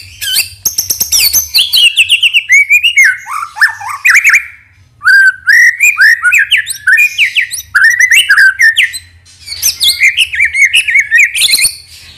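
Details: White-rumped shama, a caged bird used as a lure to provoke other birds into singing, delivering a loud varied song: clear whistles sliding down into rich warbled phrases, broken by short dense bursts and a brief pause near mid-clip.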